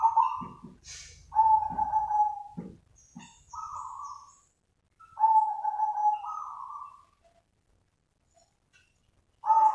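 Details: Zebra dove, known locally as perkutut, giving its lure call: rolling coo phrases of one to two seconds, about four in ten seconds, separated by pauses, with faint clicks and knocks early on.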